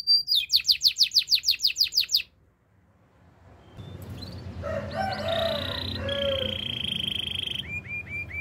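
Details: Canary delivers a fast pulsed trill for about two seconds, then falls silent; afterward softer mixed notes, a lower warbling passage and a few faint rising chirps follow amid background noise.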